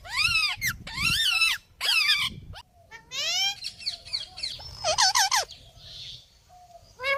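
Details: Parrot calling with loud, raspy, arched squawks, some rising and falling in pitch, repeated in uneven bursts with brief pauses and a few softer chattering notes between them.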